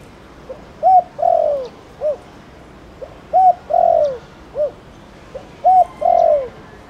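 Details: Spotted dove cooing from the Thổ Đồng bird, used to stimulate other doves into calling: low hollow coo phrases of a short note, a long falling coo and a closing note, repeated about every two and a half seconds.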